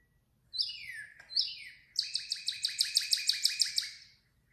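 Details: Male Northern Cardinal song: two loud slurred whistles sweeping downward, then a fast run of about ten clipped chip-like notes, clear and ringing.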